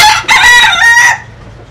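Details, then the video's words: Bantam rooster of a Japanese and Cuban cross, Japanese hen and Cuban cock, crowing strongly: a loud, harsh, harmonic crow with a brief first note and a long sustained second part, then fading. "Gà Tre Jap Cuban Tiếng Gáy Rất Sung"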